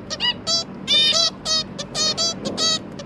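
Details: During feeding of three newly hatched zebra finch juveniles by both parents, 1 October 2022. Honking, nasal beeps repeat irregularly in quick succession, some doubled, all strong and buzzy-toned.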